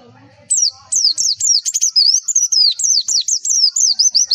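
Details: High, piercing whistled phrases of a Javan white-eye, each note sliding sharply downward and repeated in a fast, slightly uneven string. The song serves as a tutor recording to make other white-eyes call back.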